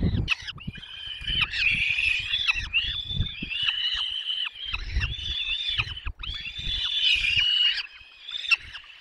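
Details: Peregrine falcon nestlings begging during a long feeding at the nest, Barycz Valley, Poland, 6 May 2021; an almost continuous stream of high, grating, wavering squeals, rising and falling, with brief pauses and faint low rumbles.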